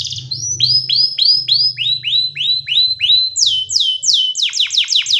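A canary sings bright, rapid trills of sweeping whistled notes, repeated three or four times a second, shifting into higher, faster phrases; a faint low hum underneath.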